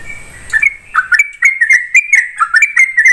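Yellow-vented Bulbul chattering in a quick run of bubbly, slurred chirps around mid pitch, several notes each second, with a thin high whine behind.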